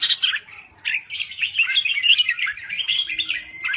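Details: Crested bulbul from Thailand in vigorous song: sharp opening notes, then a continuous stream of bubbling, twisting warbled phrases with quick rises and falls.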